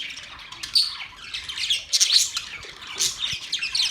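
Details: Budgies chattering: busy high-pitched squeaks and warbles in quick overlapping bursts, a few louder chirps standing out near the middle and end.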